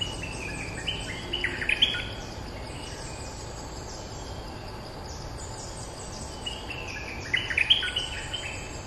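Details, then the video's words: Streak-eared bulbul holding its territory and answering lure calls: two separate bursts of sharp, chattering notes, the first near the start and the second near the end, with a lull between. Insects hum steadily throughout. "เสียงต่อนกดอกแตงEp.229 จ้าวถิ่นเถียงทุกคำ!! suara pikat merbah lekir gacor"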